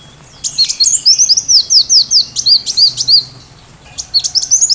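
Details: Sunbird song used to train a white-rumped shama: a quick run of high, sharp, down-slurred chirps repeated about every quarter second, a brief pause, then more squeaky high twitters; no other clear sounds.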